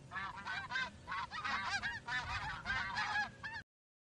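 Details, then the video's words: Geese honking in a group, rapid overlapping nasal honks in bursts separated by short pauses, then the sound cuts off abruptly. "Geese Honking"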